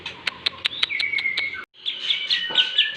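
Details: Trained lovebird from Bandung with kapas tembak and jenggot fills: sharp spaced clicks over a held whistle, a brief gap, then a bright string of quick high chirps.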